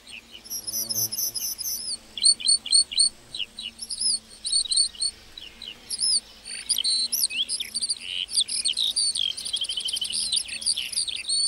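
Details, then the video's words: Lark in a meadow pouring out a long, continuous high song of rapid chirps, buzzy trills and slurred notes, growing denser and more varied toward the end. "Singing lark in the meadow"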